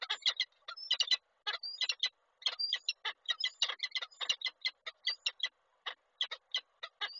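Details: Male peregrine falcon with a gift in Koszalin, Poland, 8 March 2023; the female does not accept it and flies away. Rapid harsh chips and rasps in uneven bursts, mixed with short high whistled upslurs.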